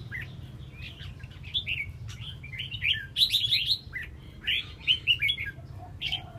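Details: Bulbul with red whiskers, tail fanned, delivering loud bubbly whistled phrases that grow stronger midway, separated by brief pauses, over a low drone.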